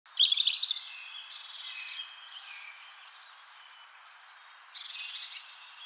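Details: European robin singing in spring: thin, high warbled phrases opening with a bright burst of rapid notes, then softer wavering trills and short sliding whistles, another fluttering phrase near the end.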